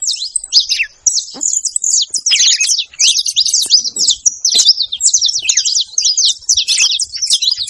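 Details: A group of saffron finches noisily chirping together: rapid, high-pitched twitters and sharp clipped notes packed densely and almost unbroken, with a few brief gaps between bursts.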